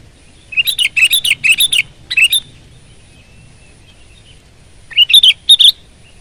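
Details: Full-power gacor singing from a sooty-headed bulbul: a fast string of eight bright, bubbly notes, two more after a short gap, then a later cluster of liquid chirps.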